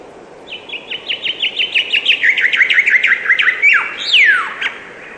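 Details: Chirping bird delivering a steady chain of short downslurred notes that gradually drop in pitch, closing with a sharp falling note and a long descending whistle.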